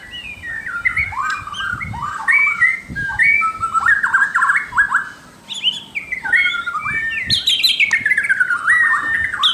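White-crowned shama singing a rich, continuous run of varied whistles and sliding phrases, shifting quickly between notes without pause.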